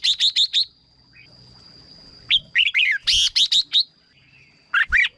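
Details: Red-whiskered bulbul song for stirring up birds or as a decoy: a rapid run of five ringing notes, a pause, then quick warbled phrases and another bright rapid series. A faint constant whine sits in the background.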